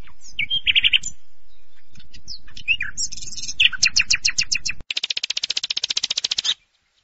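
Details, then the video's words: Common nightingale in full song: varied whistles and chirps, a burst of fast clicking notes, then a loud, rapid rattling trill lasting nearly two seconds over a low hum. "o canto ave Rouxinol"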